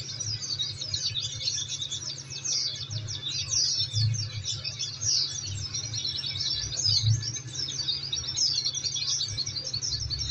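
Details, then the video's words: Oriental white-eye song from a therapy recording meant to make birds reply within three minutes: long, fast run of high, thin twitters and slurred chirps, steady low hum underneath. "Masteran||Terapi Kicau Pleci"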